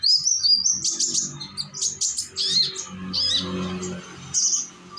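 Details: Young sunbird from Indonesia singing as a lure to make other birds sing: high twittering phrases and buzzy bursts, with a steady low droning hum underneath throughout.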